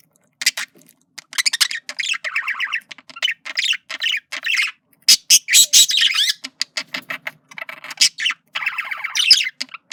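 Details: A flirting male budgerigar chatters almost without pause: rapid, high, scratchy chirps mixed with rippling, wavering warbled notes and brief squawks. No other sounds.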